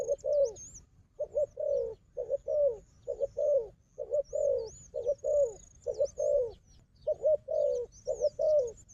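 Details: Combative wild dove with a decoy bird: hoarse low coos repeated in even short-short-long phrases across nine seconds, with scattered high looping whistles of other birds.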